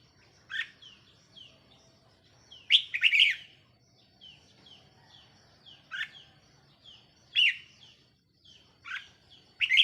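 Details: Caged red-whiskered bulbul used as a decoy, 4 May 2023; loud chirpy phrases recur every few seconds, mixed with fainter overlapping chirps and short downslurred notes from other birds nearby.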